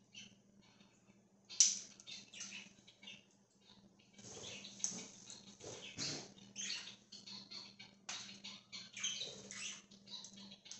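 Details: Free-roaming budgerigar flock, October 13, 2024: one sharp squeak, then a long run of soft, scratchy chirps and twitters, some thumping rustles, over a constant low hum.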